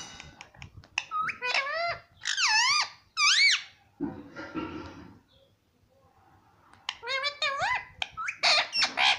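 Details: Parrot talking in Hindi, words like papa: strongly harmonic wavering syllables in clustered bursts, a hushed breathy noisy stretch in the middle, then rapid squeaky rising notes returning at the end, recorded in a small room.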